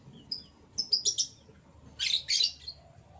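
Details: Morning canary chirping: a thin high whistle, then a few quick sharp tweets, and a louder buzzy twittering burst near the end.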